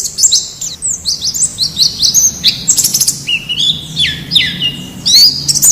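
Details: Rapid high twittering of a wild white-eye, used as a model to get captive birds singing: quick downslurred chirps and trilled notes run together in lively bursts, with a soft steady hiss behind.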